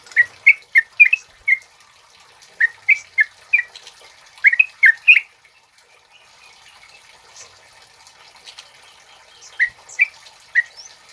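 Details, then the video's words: Male yellow-vented bulbul (trucuk kebo), used as a lure and tutor for other birds, sings short bursts of liquid, warbled notes. A four-second quiet stretch follows with low background hiss, then three more notes. "SUARA BURUNG TRUCUK KEBO GACOR NGALAS COCOK BUAT PANCINGAN DAN MASTERAN"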